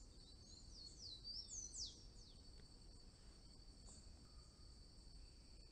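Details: Blue-and-yellow tanager singing a short burst of thin, high, squeaky slurred notes that tumble downward over about two seconds. A steady insect drone and low background rumble continue throughout.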